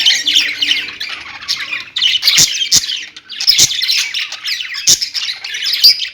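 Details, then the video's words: Chattering pet budgies give a rapid mix of squawks and high chirps, with a short dip in the middle and a few sharp clicks. "parakeet chirping sounds| budgie sounds"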